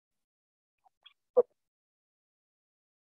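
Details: Near silence with a few faint ticks and one short dull knock, and no animal calls.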